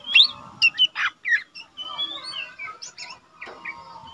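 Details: Caged young lesser green leafbird used to train other birds, singing a few sharp chirps followed by long thin drawn-out whistles and scattered high notes, fairly soft overall.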